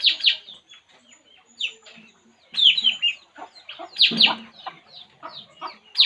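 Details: Puling bird while relaxing, giving loud bursts of harsh, chattering high notes in quick clusters, separated by short pauses and softer scattered chips.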